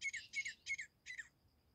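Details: Grey francolin hunting call: four loud, rasping, squawk-like notes in quick succession, the last one drawn out and falling. A thin steady tone lingers after the notes.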